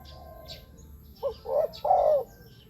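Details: Spotted dove calling, used to draw in wild birds: after faint background cooing, a clear three-part phrase of short coo, slurred coo and a long, full, falling final croo.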